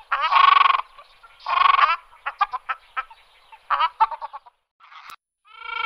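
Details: Ruddy shelduck with two long, loud, rasping honks, then scattered short honking notes and a final higher-pitched nasal call.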